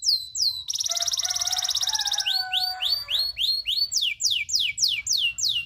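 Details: Local canary tutor song with long rolling trills: a fast buzzy high trill, then a run of rising whistled sweeps repeated about three times a second, with lower warbled notes beneath.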